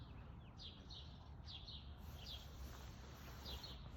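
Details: A male downy woodpecker calls at a backyard bird feeder in Calgary, Alberta, at 1:14 pm on 27 June 2021: faint, sharp, high notes in pairs and singles over a steady low rumble.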